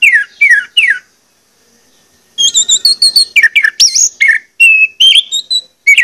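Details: Orange-headed thrush lure song intended to set birds singing: three descending whistled slurs, a short silence, then a fast, varied medley of high and mid-pitched whistles and chirps.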